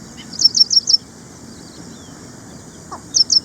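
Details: Ashy prinia in India: four quick, high sharp chirps, then a pause and another burst of three at the end, with a faint lower call between.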